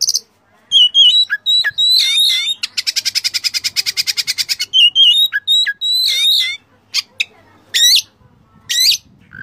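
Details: Kacer master song full of borrowed phrases. Whistled slurs and squawks lead into a long, fast, evenly pulsed rattle lasting about two seconds, followed by more whistles and sharp high notes with brief gaps.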